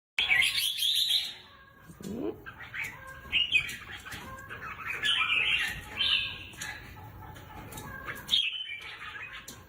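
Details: Caged red-whiskered bulbuls kept as competition birds give bright, jumbled chattering phrases, with a brief low upslurred note near two seconds, then rapid warbled bursts that rise and fall, separated by short pauses; a faint low hum underneath.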